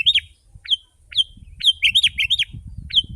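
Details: Sooty-headed bulbul singing loudly as a lure for wild birds, in short bursts of clear, rising-then-falling whistled notes with a cluster of quick notes in the middle, over a low background rumble.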